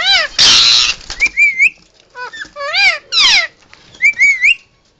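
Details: Pet male Indian ringneck parakeet calling in emergency: a burst of noisy screech, wavy whistled notes and downslurred squawks, loud and close.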